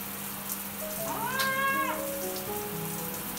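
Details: A red-sided eclectus, one of a pair that loves long showers, gives a single clear, tonal call that rises, holds, then drops, lasting about a second, over the steady hiss of spraying shower water and a faint hum while being showered.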